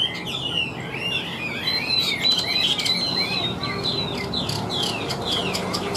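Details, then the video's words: Loud-voiced wild-caught Chinese hwamei with a fig-leaf tail in full song: a busy cascade of whistled slurs and fast trills, including a sustained high whistle in the middle, continuous over low hum. "Họa Mi Chơi Cánh, Đuôi Lá Vả - Hót Hét Tốt Giọng Căng - Chim Rừng"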